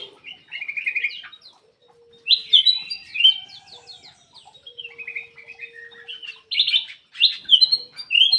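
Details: Ruby-throated bulbul singing a varied medley of trilled, whistled and chattering phrases with brief gaps, loud bursts near the end; a faint steady low hum runs underneath.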